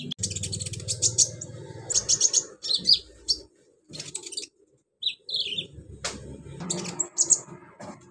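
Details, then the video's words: Van Hasselt's sunbird (konin) singing a song packed with imitations of cililin, crickets, golden grasshopper and chicks; bursts of very high, thin chittering trills and sharp chips separated by short pauses, with a low rumbling background hum. "KONIN BANYAK ISIAN CILILIN, JANGKRIK, BELALANG EMAS, ANAK AYAM"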